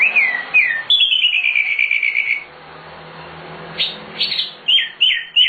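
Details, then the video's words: Energetic nightingale (sikatan londo) song meant as master material for training birds: looping whistles leading into a long quick trill, a quiet gap, then scattered sharp downslurred notes at a brisk pace. "Suara Sikatan Londo Nightingale Gacor Full Isian Cocok Untuk Masteran Burung"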